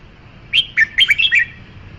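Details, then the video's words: Brisk phrase from a red-whiskered bulbul: about six lively, slurred whistled notes delivered quickly, bouncing up and down in pitch, with a soft low hum underneath. "Tiếng chim chào mào"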